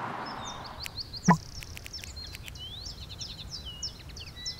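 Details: Common linnet (Linaria cannabina) song in the Alblasserwaard, Netherlands, on 18 December 2021: soft, rapid twittering of thin high notes and short trills throughout, interrupted by one dull knock over a low background rumble.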